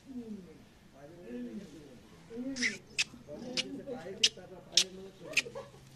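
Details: Talking myna (shalik) mimics human speech in Bengali, in wavering, voice-like phrases broken by about six sharp clicking squeaks.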